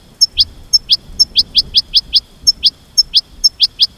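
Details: Goldfinch chirping in a steady, even series, about four notes per second, each a high tick followed by a quick slurred whistle, with little else heard.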